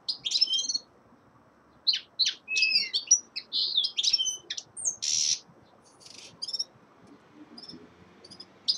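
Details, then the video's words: A common linnet, possibly a young male, sings a quick, varied twitter of high chirps, short trills and a buzzy note, delivered in bursts with brief pauses. "Песенка Реполова Коноплянки song of Carduelis cannabina"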